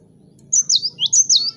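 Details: Cinereous tit (gelatik batu) in spirited song used to stir rivals to sing: a few high, whistled falling notes paired into quick phrases, with a faint low hum underneath.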